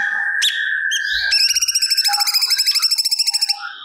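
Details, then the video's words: Cucak cungkok singing and repeating learned material, used to train other songbirds. Steady whistled notes give way to a rapid, regular, buzzy trill of about two seconds. A few faint low bumps are heard. "Burung Cucak Cungkok Gacor Muntahkan Materi Yang Di Simpan"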